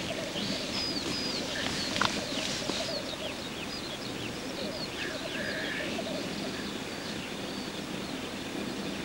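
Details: Courtship display of a male black grouse: a steady, wavering, dovelike bubbling carries on without pause, while other birds add scattered thin high chirps and short whistles overhead.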